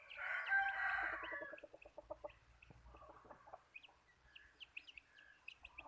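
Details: Decoy chicken used as a lure gives a brief hoarse crow, followed by a fast series of low clucks fading out, while small birds twitter high in the background.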